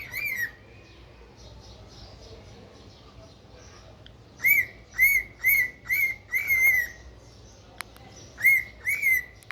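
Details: Pet cockatiel uttering repeated loud, rasping-edged whistled calls with strong harmonics, one at the start, a run of about six closely spaced calls midway, a sharp click, then three more calls near the end; faint chatter between.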